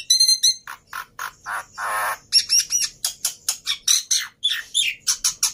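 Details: Black-winged myna song meant to prompt other mynas to sing: harsh squawking notes and a rasping buzz, then a steady series of sharp, high, chattering phrases with slurred whistles.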